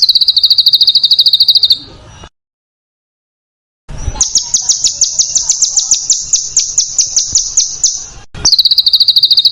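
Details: Master recording of a contest bird's close, coarse screeches. A high rapid trill stops for a silent gap, then a long rattling run of fast, evenly spaced notes follows, and a brief trill closes it.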